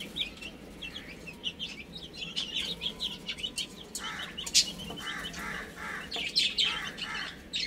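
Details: Baby chicks peeping as they eat and play. Thin, quick high chirps run throughout, joined in the second half by lower, rounder murmuring notes and a few sharp clicks.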